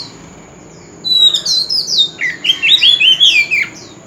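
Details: Silence, then an old wild-caught oriental magpie-robin bursts into loud street-corner song: a fast run of bright, tumbling whistled notes for about two and a half seconds, pitched high and varied.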